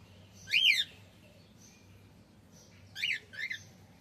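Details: Male cockatiel calling up close. One loud, bright, rising-falling screech is followed two seconds later by a quick double chirp.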